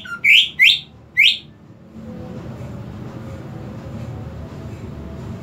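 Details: Greater green leafbird, kept as a cage bird, with three loud rising whistled notes near the start, then background hum and low noise for the remaining seconds.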